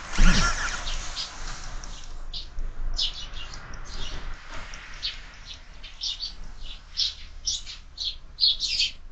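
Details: Sparrows at a window-mounted feeder in the morning, a steady scatter of short chirps throughout, growing denser toward the end, after a thump at the start.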